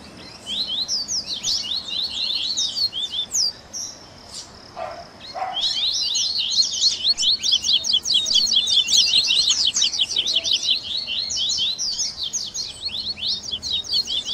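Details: Double-collared seedeater in a baderna mix of the best song variations, meant to warm up captive birds: bursts of high, sharp chirps, a short pause, then a long, fast, rhythmic chattering sequence.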